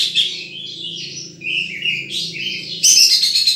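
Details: A wild sunbird gives thin, wavering high twitters and slurred notes, ending in a loud buzzy trill, with a low hum in the background.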